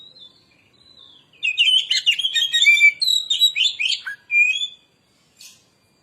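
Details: Oriental magpie-robin, kacer lure song used to stimulate other birds to sing: a rich, fast medley of whistled, warbled and scratchy phrases jumping in pitch, with a few thin lead-in whistles and a brief chip at the end.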